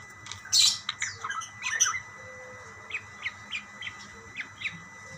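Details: Budgerigars calling back and forth to each other: a loud squawky burst, then short, sharp chirps spaced irregularly, roughly every third of a second, with a faint steady hum underneath.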